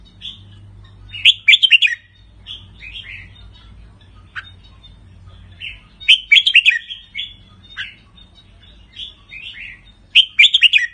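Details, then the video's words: Red-whiskered bulbul of the Pa La-u strain, a cage bird, delivering doubled song phrases: bursts of rich whistled, bouncing notes roughly every five seconds over a low steady hum. "นกกรงหัวจุกสายป่าละอู ทั้งร้อง ทั้งริก นกร้องเบิ้ลๆ ริกๆ"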